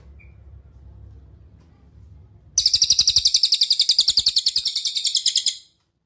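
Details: Cililin song played as a training master for other songbirds: a long, rapid run of bright, high-pitched chirps of about three seconds, very even in pitch and pace, ending abruptly after a quiet lead-in.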